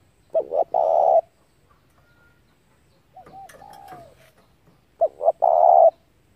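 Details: Spotted dove used as a lure for trapping doves, giving two loud phrases of short double notes and a long coo; between them a softer descending coo with a few sharp clicks.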